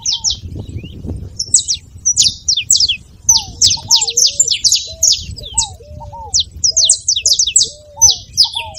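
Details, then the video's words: Saffron finch with a fine song to warm up a quiet canary: chattering clusters of high sharp chirps with brief gaps, accompanied by repeated low curved whistles from another bird. "canário da terra com belo canto pra foguea seu canário frio"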